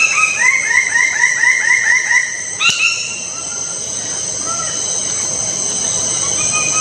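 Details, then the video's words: Bird of paradise uttering a fast series of about eight bouncy, downslurred harmonic notes over two seconds, against a steady high insect drone. "the sound of birds of paradise"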